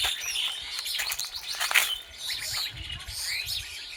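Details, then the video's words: Several birds in a jungle near a village chirp at once, high thin notes and quick twittering overlapping in a dense chorus, with a low rumble of background noise. "High Bird Chirping Sound"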